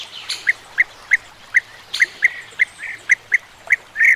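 European bee-eaters give short, rolling, liquid 'prruip' notes about three times a second, with fainter calls from other birds of the flock behind.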